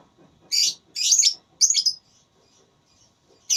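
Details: Lovebird in a voice-battle singing contest, gacor ngekek style: three loud, harsh, rasping bursts in quick succession, a quiet gap, then another shrill burst at the end.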